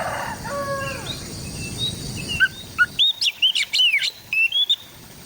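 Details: Oriental magpie-robin in East Java, recorded on an Android phone: after a stretch of noisy rumble and a few thin notes, a lively burst of sharp whistled and sweeping notes, rapid and varied, rising and falling, against a steady background hiss.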